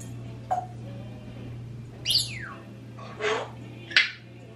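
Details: Pet parrots, a 26-year-old African grey and a 16-year-old Quaker parrot, left alone indoors: a short tonal note, a steeply falling whistle, then two harsh noisy squawks over a steady low electrical hum.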